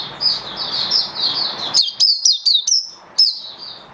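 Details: Buka sing display song from a caged oriental white-eye: soft rambling high twittering, then a sudden series of crisp, downward-slurred chirps and a final sharp note.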